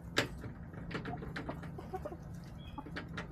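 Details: Backyard hens filmed on a chicken camera on March 24, 2024: one sharp, loud cluck at the start, then scattered short clucks and soft pecking taps over a steady low hum.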